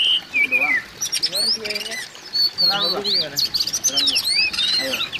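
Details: Calling of an Oriental magpie-robin, aimed at making a silent bird sing: an opening whistle sliding down, then dense varied chirps, upswept whistles and rapid twittering with softer low warbles beneath.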